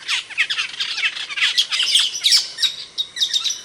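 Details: Indonesian Asian glossy starling, a loud, sharp-voiced songbird: rapid, busy chatter of piercing high chips and squeaky whistles, about nearly three notes per second, uneven in rhythm.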